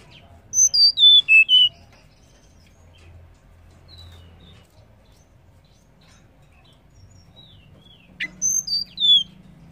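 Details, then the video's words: A female banded pitta, used to stimulate males to call, gives two bursts of about five quick, high whistled notes, each falling in pitch, several seconds apart, with a faint low hum between. "SUARA TLEDEKAN BETINA UNTUK MERANGSANG BUNYI TLEDEKAN JANTAN"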